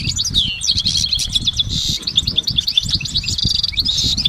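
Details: Goldfinch song in a natural setting: a falling slurred note, then quick jangling chirps and a short buzz, running on without break over low rumble.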